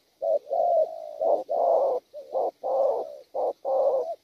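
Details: Wild-caught spotted dove with a rich gù delivery: throaty low coos, several long and slightly wavering ones, interspersed with quick short notes.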